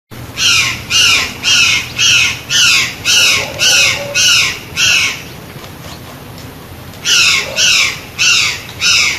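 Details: Plush-crested jay giving harsh, buzzy squawks, seven in quick succession nearly twice a second, a short pause, then four more of the same rasping notes.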